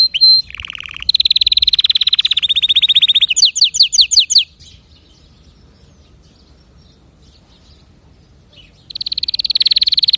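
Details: Canary delivering loud rolled trills and fast rattling phrases, followed by a few seconds of near silence before another high buzzing trill starts up.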